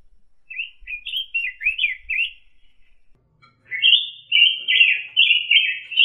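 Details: Orange-headed thrush, a bird of Indonesia kept as a master tutor for other songbirds, singing short warbled phrases in a quieter first burst, then a pause, then louder, rapidly run-together, slightly buzzy high whistled notes.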